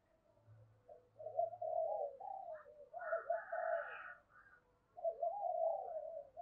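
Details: Caged decoy spotted dove cooing at early morning to lure wild doves, thổ sấm voice style; quiet, low rolling coo phrases repeated twice with a pause, faint hum beneath.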